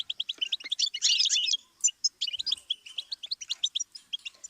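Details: Tutor song of a goldfinch for songbirds: a steady run of crisp chips, a harsh buzzy rattle around one second, a short silence, then a long string of quick tinkling notes in small repeated groups.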